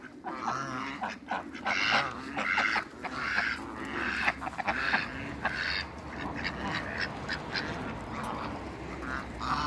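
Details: Mallard, runner and Pekin ducks gathering on a farm among other waterbirds: repeated nasal quacking bursts from a group, irregular, louder in the first half and fading into steady background chatter.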